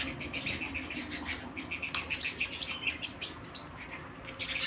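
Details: Canary singing at home: a run of clear, evenly spaced high notes repeated several times per second, followed by a few sharper chirps, over a soft low hum.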